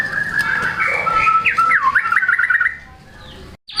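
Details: White-rumped shama in full singing form, showing off its repertoire and used to spur reluctant shamas into song: a fast run of whistled notes and rapid repeated trills, ending abruptly near three seconds, followed by a quiet gap and a brief high note.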